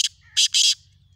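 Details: Black francolin on a morning of 3 April 2024, giving a short clipped note followed by two longer, harsh, scratchy notes, with a low rumble in the background.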